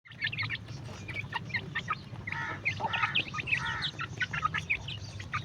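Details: Newborn baby chicks eating, giving a busy stream of short, high peeps and chirps from several birds that overlap and pulse unevenly, over a steady low hum.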